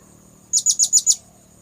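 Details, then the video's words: Lure call of the blue-crowned hanging parrot, played to attract birds: five very high, sharp, thin chirps in a rapid even series lasting about half a second over a quiet background. "Suara pikat burung serindit"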